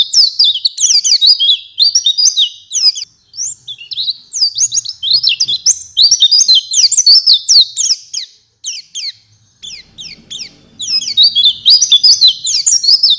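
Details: Oriental white-eye singing while another bird responds: continuous high, fast twittering warble of sliding whistles and chirps, with a short pause midway before the rushing song resumes.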